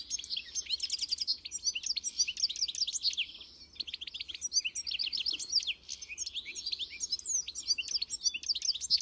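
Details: Goldfinch singing a long, dense stream of twittering notes, quick chirps and steep slurred whistles, with short buzzy trills, nearly unbroken across the whole recording; quiet background.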